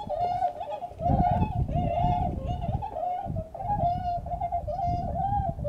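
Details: Wintering Bewick's swans at Beuven, 18 December 2011: a chorus of soft, crooning honks from several birds, overlapping and wavering in pitch, over a steady low rumble of background noise.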